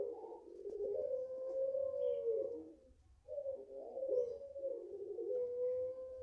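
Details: Five-month-old puter pelung Barbary dove, a home-raised bird with a prized long voice, gives two drawn-out, even-pitched coos, each about three seconds, separated by a short pause.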